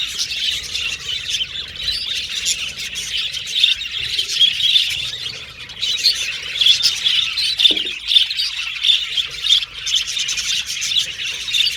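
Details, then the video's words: Group of budgerigars playing and chirping, an unbroken high chatter of warbles and squeaks, briefly quieter near the middle, with a soft knock partway through. "Budgies Chirping Sound"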